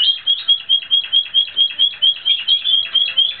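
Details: A Timbrado Espanhol canary in training, 2016, delivers an even, bell-like pulsed roll, about four notes per second, high and steady in pitch throughout.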